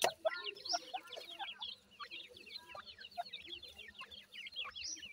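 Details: Grey francolin female with her chicks; a busy stream of thin, rapid, high chirping notes, many overlapping, with a few lower clucking notes and soft rustling beneath.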